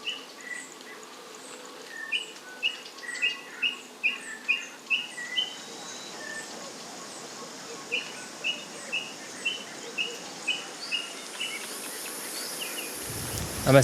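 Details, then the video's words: Tinkerbirds calling unseen throughout coastal forest in Zululand, South Africa: a steady series of short, hollow piping notes, about two per second, in two runs, with fainter bird notes, insect hiss and forest background noise. "You can hear these tinker birds everywhere."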